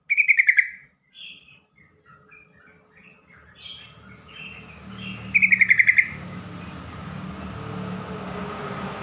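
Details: Yellow-vented bulbul call, used to draw replies from other bulbuls and get stressed or silent birds singing: two quick bubbly chattering bursts of rapid notes, about half a second each, separated by softer scattered chirps and a low background rumble.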